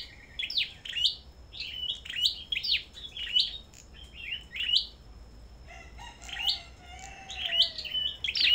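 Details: Caged Sâu đầu đỏ at a bird farm, singing against each other in a contest: dense runs of sharp, high chirps and twitters repeated nearly every half second, pausing briefly, then resuming with a faint lower whistled note.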